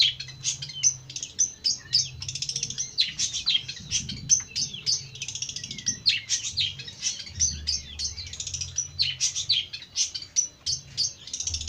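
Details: Jentet bird in continuous high, twittering chatter of quick scratchy chirps and short whistles, steady throughout, over a low background hum.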